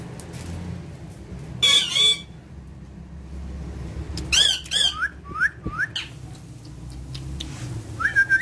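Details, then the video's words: Talkative parrot letting out one loud rasping squawk, falling quiet, then bursting into wavering squawks followed by short rising whistled notes, with a steady low rumble underneath. "Talkative parrot"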